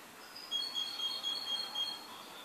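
A goldfinch gives a thin, high twittering run of short tinkling notes lasting about a second and a half, over a faint background hiss.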